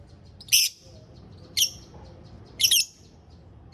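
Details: Lovebird of the dun fallow variety kept in a small aviary, giving three sharp, shrill, high chirps spaced about a second apart, each a short harsh burst, over a quiet low background hum.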